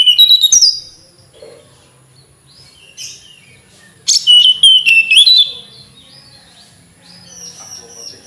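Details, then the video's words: Brief high chirps open, then after a quiet gap a tledekan gunung flycatcher delivers a lively phrase of rapid, sharp notes and looping whistles, trailing into faint calls. "Kicau Merdu TLedekan Gunung"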